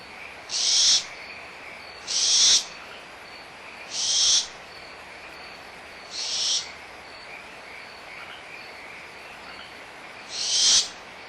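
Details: Barn owl owlets squabbling over leftover food at Starr Ranch Sanctuary, April 2011, mother nearby; five short, harsh hissing screeches spaced about two seconds apart, the later ones softer, over a constant frog chorus.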